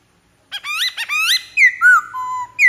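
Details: Black-throated laughingthrush giving rich rising whistled phrases followed by clear falling whistles and a long level note, loud and close.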